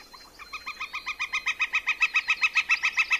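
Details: A Northern Flicker gives its loud, crisp "key-key" call series: a rapid run of even notes, nearly four a second, swelling in volume as the run goes on.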